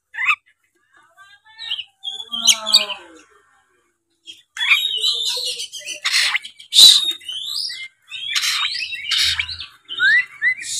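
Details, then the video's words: Oriental magpie-robin in full 'narung' combative song meant to trigger rival males: scattered whistles and a rattling phrase, a pause, then loud bursts of harsh buzzes mixed with clear upslurred whistles. "suara kacer gacor full narung"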